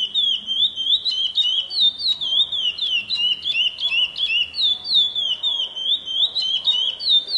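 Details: Chestnut-bellied seed finch (curió) delivering a long, unbroken run of sweet whistled phrases, each note swooping and wavering, repeated several times a second in loud pulsing bursts with no other sounds.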